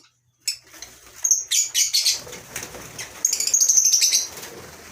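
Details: Caged lovebirds of several kinds in a colony aviary on a farm in the morning. Loud wing flapping starts after a brief silence, followed by continuous shrill chirping and squeaky chatter, with a steady low background rumble.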